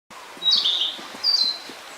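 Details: Narcissus flycatcher singing on Mount Rokko: two clear, high whistled phrases, the first a slurred warble, the second a brighter whistle, about a second apart over a quiet background.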